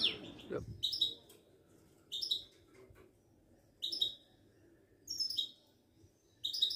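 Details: Moroccan Widani goldfinch, a kept songbird, giving short high twittering phrases about every one and a half seconds, separated by quiet gaps, after a brief low thump at the start.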